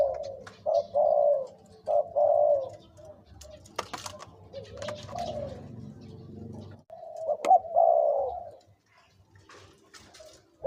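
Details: Two-to-three-year-old decoy spotted dove: a few hollow coos at the start, then a stretch of rustling and low rumbling noise, and one more clear coo phrase near the end.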